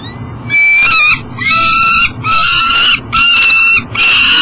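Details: At 7 am a peregrine falcon carrying breakfast struggles to enter its nest box at an energy station in Elk River, Minnesota, by the Mississippi River; drawn-out, grating, slightly rising screams repeat roughly once a second with brief pauses.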